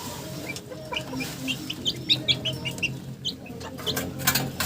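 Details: Chickens giving short, rapid clucks and chirpy notes in a quick run, against a steady low background hum.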